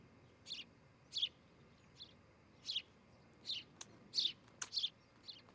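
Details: An osprey at a nest in Charlo, Montana, recorded on 12 July 2018 around 8 a.m., gives a series of high, sharp whistled chirps, about ten in six seconds at an uneven pace, over a faint steady background hiss.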